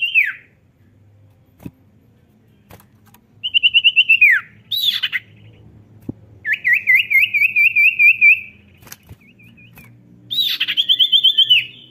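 A Common Iora sings in bursts of bright, high whistled trills and slurred downward notes, separated by short pauses, over a faint low hum.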